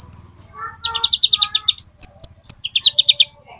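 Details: Olive-backed sunbird, a metallic-type bird used as a lure for green-type birds: thin high chips, then rapid runs of short bright repeated notes, about seven to a second, with sharper piercing chirps above and softer warbled notes in between.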